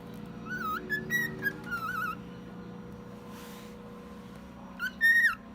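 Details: One-year-old male cockatiel imitating sounds: warbling wavering whistles in the first two seconds, a gap with a soft hiss, then a loud sliding whistle near the end.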